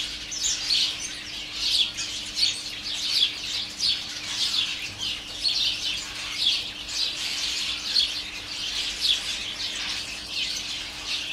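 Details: A garden colony of house sparrows, heard from a kitchen door and gathered in a holly tree and a flowering currant, chirps without pause in a dense overlapping chatter of bright, sharp notes over a faint steady hum.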